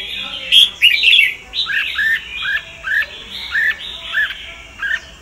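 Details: Red-whiskered bulbul of the Sông Kon type, used for voice training: a series of short, rising and falling whistled phrases repeated roughly every half second, clear and bright over a faint hiss.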